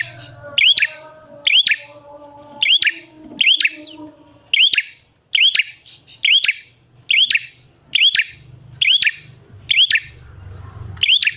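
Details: Loud, continuous bar-winged prinia calling used to lure prinias into answering; regular clicked chirps with rising whistled hooks, about once a second over eleven seconds, faint low rumble underneath.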